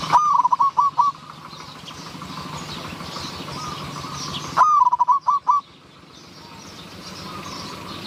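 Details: Zebra dove in Wapi district, Maha Sarakham, Thailand, giving two bursts of rapid, stuttering, high-pitched coos, each about a second long and spaced four seconds apart, over a steady hiss of background noise.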